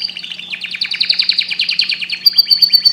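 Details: Canary song played to encourage breeding, a continuous fast rolling trill of pulsed notes that rises in loudness, finishing with a thin, high, evenly repeated trill.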